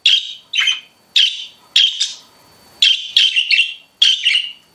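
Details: Cute pet budgerigars calling with loud, sharp chirps about every half second, some doubled or tripled into quick chattering clusters, over a clean quiet background.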